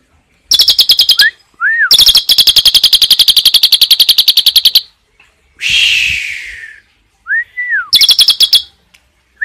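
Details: Asian pied starling 'tembakan' song with cililin fill: long rapid series of high metallic chips, a few soft arched whistles between series, and one harsh descending hiss in the middle.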